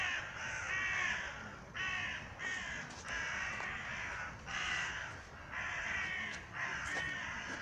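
A raven gives harsh, hoarse caws, about six in a row, each nearly a second long and spaced a little over a second apart, over steady low background noise.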